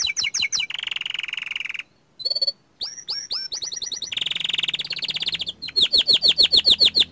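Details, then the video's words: Vigorously singing young canary: quick falling chips, a harsh buzzy roll, a short pause, looping whistles, another dense trill and a final run of bright repeated notes. "Kicauan Burung Kenari Muda Gacor Standart Kecil"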